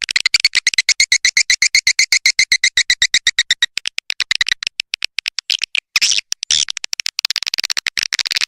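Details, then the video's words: Swiftlet calling sound for attracting swiftlets, played on an external speaker: a fast, steady train of dry, high twittering pulses, about four a second, with a brief burst of rougher sound midway. "Swiftlet Sound"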